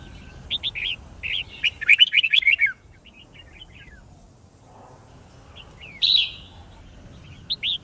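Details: White-cheeked red-whiskered bulbul fighting song from a song-training recording: bright whistled two-note phrases, then a fast run of liquid chirps around two seconds, a buzzy harsh burst near six seconds and a closing whistle.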